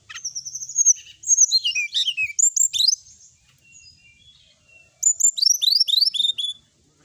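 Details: Lively sooty-headed bulbul training song: a long thin whistle opens into tumbling chirps and downslurred notes, then a quiet gap before another rapid burst of twittering phrases.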